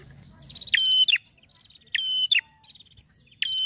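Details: A male prinia, described as a happy male, sings loud, sharp phrases roughly every 1.2 seconds, each opening with a thin high buzzy run before a bright, ringing, slurred note.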